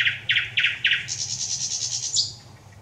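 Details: Thrush nightingale song, 25 May 2021: four loud, harsh chock notes about a quarter-second apart switch into a rapid high rattling trill that ends on a falling note.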